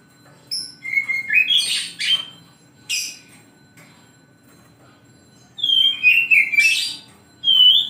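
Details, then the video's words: In the morning an oriental magpie-robin sings bursts of whistled slides and harsh chattering notes, pauses, then resumes with a long warbling whistled phrase and a final clear note. "KICAU KACER DI PAGI HARI"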